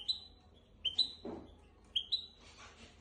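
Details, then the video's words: Hybrid finch singing as a tutor recording for young goldfinches and canaries: clear upward-sliding whistled notes in paired phrases about once a second, with a soft thud and faint rustle between phrases. "تغريد طائر الهجين ميسترو حفاضه لتعليم طيور الحسون والكناري بدون اخطاء"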